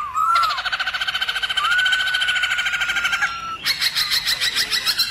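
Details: Black-throated laughingthrush in 'forest voice' song meant to excite other laughingthrushes: a brief wavering whistle, then a long rapid train of rich repeated notes over steady drawn-out whistles, ending in a brighter, faster rattling series.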